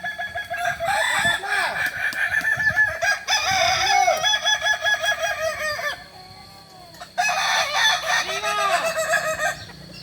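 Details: Kokok Balenggek chickens practising crowing together at Ampang Kualo, Kota Solok, West Sumatra; overlapping, drawn-out crows built from rapid wavering syllables, a brief quieter gap near the middle, then another burst of layered crowing.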